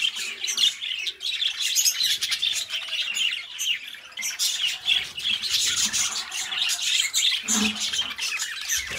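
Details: Two companion budgerigars kept as pets chatter and twitter in a long, uneven stream of scratchy warbles, squeaks and short squawks, with brief quieter gaps.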